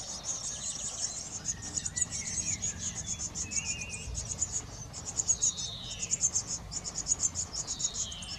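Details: Eurasian blue tits caring for young at a garden nest box: a continuous high, buzzy chatter of fast pulses, with a few thin down-sliding whistles and a short trill midway.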